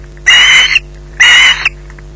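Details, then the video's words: Two long, grating screeches, each about half a second, from an osprey guarding a freshly delivered fish at its Loch Garten nest at 20:33, separated by a short silence with a faint hum beneath. "Bynack screeching in possession"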